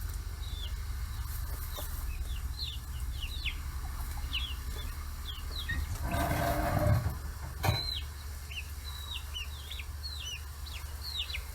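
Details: Forty-day-old chicks in a free-range flock in Hiroshima, Japan, crowding around fish heads: scattered high, short, downslurred peeps from several birds, a brief rushing burst and a sharp knock midway, over a low steady hum.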